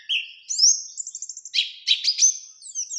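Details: Energetic ngalas ngerol nembak song of an Oriental white-eye, played to draw another white-eye into challenging; high thin whistles, a short stuttering trill and dense buzzy bursts in quick succession.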